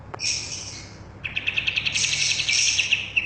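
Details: Bulbul known locally as kapas tembak, recorded as training song for caged birds: one thin, sustained high note, then after a short gap a quick, shrill, stuttering trill of repeated sharp notes.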